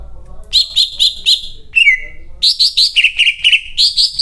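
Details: Greater green leafbird singing loudly: strings of four or five bright, evenly spaced chirped notes, a falling slurred whistle, then more rapid repeated chirps, with faint low background noise.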